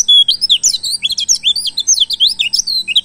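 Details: Pleci ngalas, the wild oriental white-eye, in continuous high twittering used as a lure sound: a long level whistle opens a three-second rush of quick, thin, up-and-down chirps.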